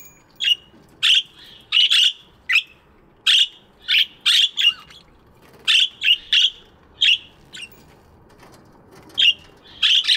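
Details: Budgerigars chirping in an aviary in the morning: short, bright, harsh chirps in quick bursts, often doubled or tripled, spaced irregularly through the clip with brief quiet gaps between them.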